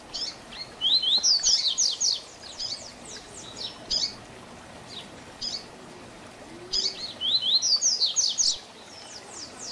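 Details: Tui Tui Zel Zel tutor song of a double-collared seedeater for teaching young birds: two loud bursts of quick, high downslurred and upswept notes, separated by a quieter stretch of scattered single notes.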